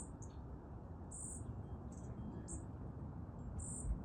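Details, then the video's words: Begging of a hungry young bird: several brief, piercing high chirps spaced unevenly across a few seconds, faint thinner squeaks between them, and a dull low rumble underneath. "Hungry baby bird"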